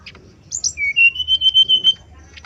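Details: Male brown-chested jungle flycatcher, lure song: two high sharp notes followed by a long sustained whistle that rises slightly and wavers in steady pulses.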